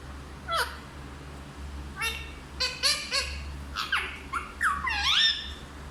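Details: Parrot that speaks Hindi gives a brief harsh note, then a lively cluster of short harmonic syllables, ending in a longer swooping, bending phrase, all over a steady low hum.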